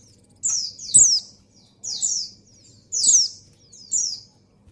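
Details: Calls of a female white-eye in breeding condition summoning the male: thin, high, falling chirps repeated about every second, some paired, with faint clicks and a steady low hum.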